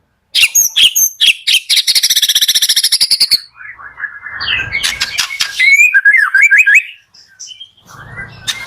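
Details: Morning song of a white-rumped shama, meant to coax reluctant shamas into singing: a rapid high rattling trill gives way to a rich run of warbled, rising and falling whistled notes before a brief pause.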